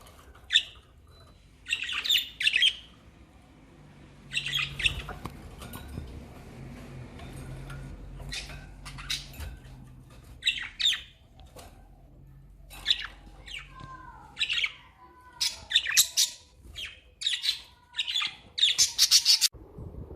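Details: Budgerigars chirp in the rain in quick, scratchy bursts, with sharp squawks and brief rising warbles.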